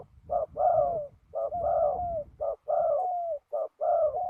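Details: Low, throaty cooing from a spotted dove decoy in trapping: short note followed by a drawn-out wavering coo, repeated four times in steady succession.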